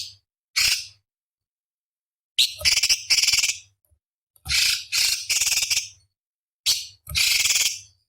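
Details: Small cucak cungkok singing on a training recording for competition birds: harsh buzzy bursts, some drawn out and some clipped, arriving about every few seconds in uneven groups, with a low hum behind.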